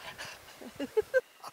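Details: Griffon vulture at a colony near Olvera, Andalusia, feeding at a cow carcass, giving three short, low squealing yelps in quick succession, about a fifth of a second apart, over soft rustling and scuffling.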